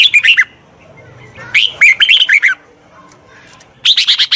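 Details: Red-whiskered bulbul used as a tutor for a wild-caught bird: three short, chattering phrases of rich warbled notes with brief gaps between them, sung loud and close.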